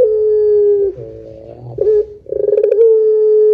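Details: Barbary dove used as a lure to set other doves calling, in the long 'pelung' coo style: a rolling, pulsed trill leads into a low, steady drawn-out note, with a short burred phrase between coos.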